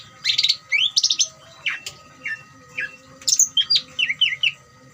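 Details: Greater green leafbird chattering trill used to provoke other leafbirds into singing: rapid buzzy bursts, sharp rising and falling whistled slurs and quick chip notes, varied and loud, with a faint steady hum beneath.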